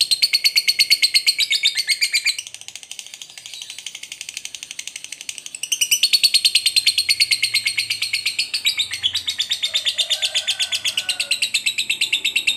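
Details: Lovebird, a fighter-type bird with a long "ngekek" trill, used as a lure to provoke other lovebirds: a long, rapid, shrill chattering trill of about three pulses a second, broken by a brief softer patch, over a faint low hum.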